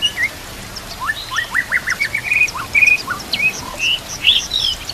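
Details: White-rumped shama master song with full fill-in phrases (isian), used to train caged birds and set over nature sounds with trickling water; a lively run of short whistled upslurs and chirps, then higher twittering notes repeated quickly.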